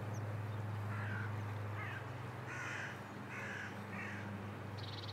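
A carrion crow gives about five harsh, rasping caws in quick succession, each roughly a second apart, over a steady low rumble.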